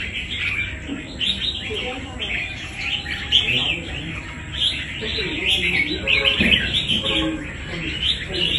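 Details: Wild-caught red-whiskered bulbul singing during a fighting contest: rapid bubbly, warbled phrases at a fairly high pitch, pouring out almost without pause, with low rumbling background noise and faint voices.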